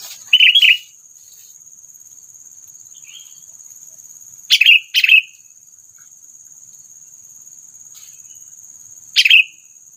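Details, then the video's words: Lure call of a sooty-headed bulbul for bird trapping, meant to provoke predators; short, bright chirped notes given singly and in pairs with long quiet gaps of several seconds between them. "SUARA PANGGILAN AMPUH PIKAT KUTILANG MEMANCING EMOSI PREDATOR"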